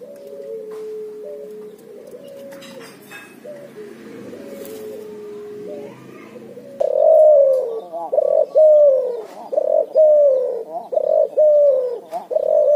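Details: A cuhu, a barbary dove and spotted dove cross, calls in the ngoar nguku style. Quieter, flat coos come first, then a run of loud, pulsing coos repeated roughly every second and a half.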